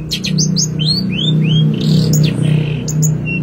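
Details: Long-tailed shrike master song for training songbirds: a series of rising and falling slurred whistles and short high notes, delivered over a strong low droning hum.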